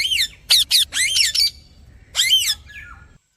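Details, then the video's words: Parrot giving loud harsh chirps and squawks, a quick burst of four calls, a pause, then one long rough call with a faint trailing note. "Parrot Chirping Voice"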